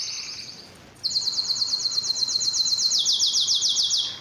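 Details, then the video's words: Canary delivering a soft high trill that fades, then after a short silence a loud rapid rolling trill of evenly pulsed notes, dropping slightly in pitch near the end. "Canary sounds"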